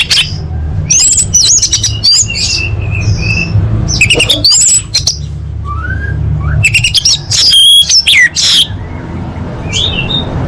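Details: Female orange-headed thrush calling to males, used to prompt birds that stopped singing: repeated harsh chattering bursts mixed with sharp whistled upslurs and squeaks, against a low background hum.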